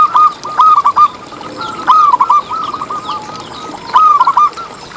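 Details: Local zebra dove singing, meant to lure other zebra doves into song. Loud clusters of bubbling, hooked coos come in bursts roughly every two seconds, with quieter notes in between. Faint background chirping can be heard.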